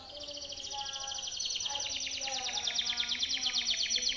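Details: Timbrado canary performing a song meant for training canaries: a long, rapid pulsed trill that grows steadily louder, with soft lower tones behind it.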